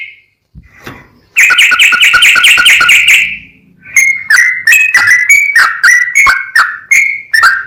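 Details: Sooty-headed bulbul in a fast, continuous 'full ropel' tutor song: a rapid run of bright chirping notes, a short pause, then a series of clear two-part whistles that drop in pitch, repeated about every third of a second.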